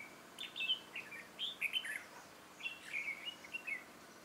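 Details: Red-whiskered bulbul decoy singing fighting song during trapping: rapid chains of bright warbled, chirping notes in two long phrases.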